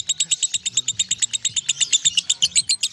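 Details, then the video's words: Lovebird in ngekek, a long unbroken chattering song: rapid, bright, sharp notes repeated about six times per second in a steady rhythm, with a faint low wavering hum beneath. "LOVEBIRD NGEKEK 1 MENIT LEBIH"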